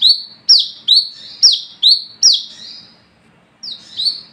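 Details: Nighttime olive-backed sunbird song used to attract and train others: high slurred notes dropping into a buzz, about two per second, stopping for half a second before two more notes resume.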